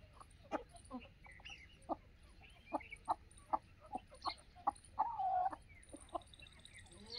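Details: Aseel chickens on an Indian free-range desi poultry farm: short, sharp clucks repeated irregularly at roughly half-second to one-second gaps, with one longer drawn-out note near the end, over a steady low hum.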